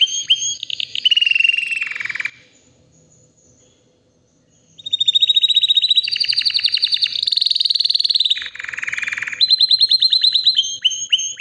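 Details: White canary, about three years old, healthy and ready to breed, singing powerfully: loud, fast, buzzy rolling trills and bright high tours, pausing silent for about two seconds, then resuming with long rapid trills and varied high rolls.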